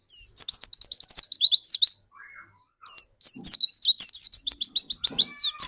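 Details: Pleci dakun white-eye in full song, used to draw other white-eyes into singing: fast, sharp, high twittering phrases, a short pause with faint soft notes, then another dense stretch of rapid, bright chirps.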